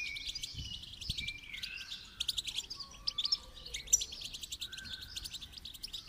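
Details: During song training, goldfinch song pours out in rapid high twittering and buzzy trills, mixed with several drawn-out lower whistled notes that drift in pitch.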